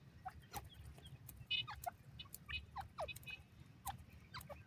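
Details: Francolin disturbed in the forest, giving short, sharply descending notes scattered irregularly, about ten in under five seconds, amid clicks and rustles over a low background hum.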